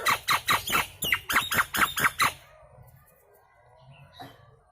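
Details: Loud lure sound of a Nias hill myna: a burst of nine or ten harsh, raspy squawks in quick succession lasting just over two seconds, then near quiet with faint background noise.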